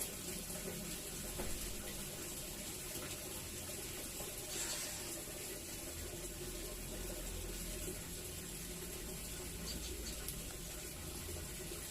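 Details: Steady broadband rushing like running water throughout, with no animal calls heard.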